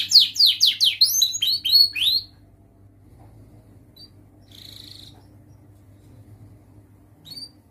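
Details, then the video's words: Young canary learning its song, used to tutor baby canaries; a burst of quick rising whistled sweeps lasting about two seconds, then near-silence with one faint buzzy note and a soft low hum. "Masteran Kenari gacor Muda belajar NATA LAGU, paling Pandai utk pancingan kenari paud belajar bunyi"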